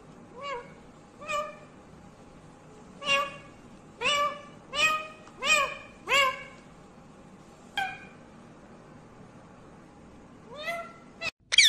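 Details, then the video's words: Talking parrot repeating a two-part, speech-like syllable about eight times, each sliding down then flattening, spaced roughly one second apart, ending with a loud knock. "बोलने वाला तोता मिट्ठू talking Parrot mummy papa"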